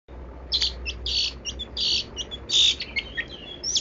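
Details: Long-tailed shrike song in the 'kaya rasa' (rich-flavoured) style: bursts of high, harsh, buzzy notes alternating with thin whistles, delivered in uneven clumps over a faint low hum.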